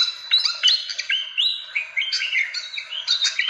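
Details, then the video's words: Fantail lure call for drawing in birds, with squeaky chattering notes mixed with longer whistled slurs that rise and fall, delivered without pause. "SUARA PIKAT BURUNG KIPASAN SIKATAN"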